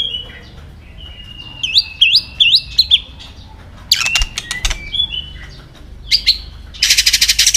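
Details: White-rumped shama singing in many voices, a song used to stimulate and train other shamas; a string of slurred whistled notes, then sharp clicks with a quick whistle, a few short phrases, and a closing burst of dry rasping sound.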